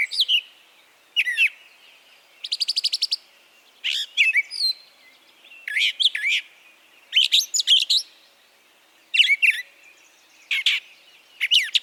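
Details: Brown Thrasher in Harvey County, Kansas, singing a varied run of short phrases, buzzy trills and sharp chirps, many given in pairs, each song given once, twice or three times before moving on, with brief pauses between.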